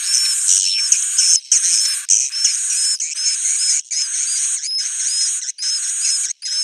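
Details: Swiftlet roosting call used to lure swiftlets: dense, buzzy high chirring in bursts about a second long, separated by short gaps, with thin rising whistled notes laced through each burst.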